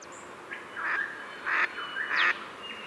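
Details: Three hoarse, drawn-out quacks from a Pacific black duck, spaced roughly seven tenths of a second apart, with a faint thin chirp at the start.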